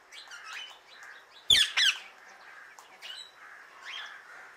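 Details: Indian ringneck parrot calling other birds outdoors: soft chattering chirps broken by two loud, quick harsh screeches, then more chirps.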